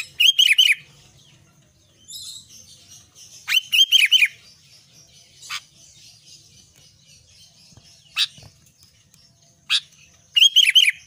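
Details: Albino sooty-headed bulbul in vigorous song, repeating a quick three-note bubbly, downslurred phrase about every three to four seconds, with single sharp chips and faint chatter between phrases.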